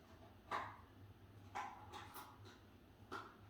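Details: A Senegal parrot at dinnertime gives short, harsh, raspy squawks, about one every second, irregularly spaced, over a low indoor hum.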